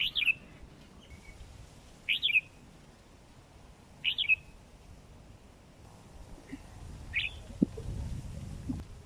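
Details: Over four months old and kept in captivity, a sooty-headed bulbul repeats a brief slurred whistle roughly every two seconds, four phrases then a fainter fifth, with faint low noise late on.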